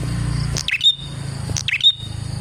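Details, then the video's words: Prinia song for luring other prinias: two sharp chirp-and-whistle phrases about a second apart, over a low rumbling hum and high insect whine. "KICAU BURUNG PRENJAK GACOR ini Manjur untuk PIKAT PRENJAK dan PANCINGAN PRENJAK KLAWU"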